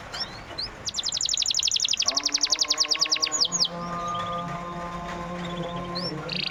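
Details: Canary song meant to prompt a silent canary to sing again: a fast run of sharp, high down-slurred notes repeated several times per second for about three seconds, with a steady low humming tone underneath.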